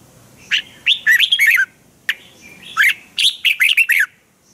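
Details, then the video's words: Training song of a red-whiskered bulbul in Thailand: two bursts of rapid, ringing whistled notes rising and falling in pitch, each a little over a second long, with a sharp click between. "นกกรงหัวจุก | เจ้ากวนอู เสียงร้องริก คึกจัด คมชัด ครบเครื่อง เสียงฝึกร้อง"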